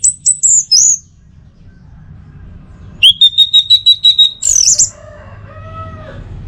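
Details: Orange-headed thrush in northern Bali gives tutor song meant to draw out the teler style. High slurred whistles are followed by a fast even trill of about ten notes, then a lower buzzy, harmonic phrase.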